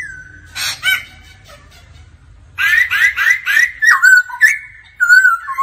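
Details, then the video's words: Laughingthrush in singing practice, with a female's 'ro ro' calls heard alongside. A brief rough note is followed by quiet, then a rapid string of bright looping whistles and long wavering tones. "Khướu hót luyện giọng mỗi ngày Kèm mái ro ro"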